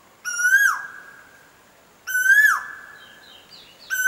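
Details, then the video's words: Sweet koel song: loud, rich whistled notes that swell slightly upward and then fall away, repeated roughly every two seconds, with soft high twitters from other birds between them. "SWEET VOICE OF THE KOEL"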